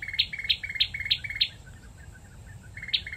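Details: Cambodian tailorbird, endemic, near Phnom Penh with 4–5 birds present, giving a quick run of five sharp, high two-part chips, about three per second, then a pause and two more.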